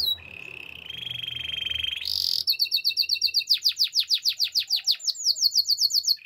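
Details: Training song of a Spanish Timbrado canary: steady buzzy trills shift higher, then break into crisp rapid repeated notes and fast pulsed runs, loud and clear over faint low hum.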